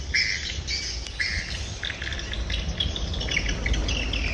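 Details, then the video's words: Swiftlets calling in the evening, with short sharp chirps repeated in quick bursts and paired high notes, over a steady low rumble of background noise. "Chim chiều"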